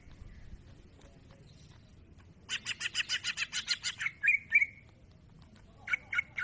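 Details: Greater green leafbird masteran song, fairly distant: after two quiet seconds comes a rapid buzzy rattle of about ten pulses, then clear whistled notes and a final short rapid series, over a low steady background hum.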